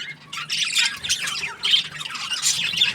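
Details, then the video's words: Cheerful budgie giving short bursts of high, buzzy squawks and chirps, several rapid phrases in quick succession over a quiet low hum. "Happy Budgie chirping sounds"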